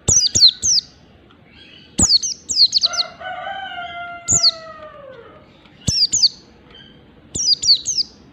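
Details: Mountain white-eye with 'ngalas' singing: clusters of two or three sharp downslurred whistles, repeated every second or two, over a distant rooster's crow.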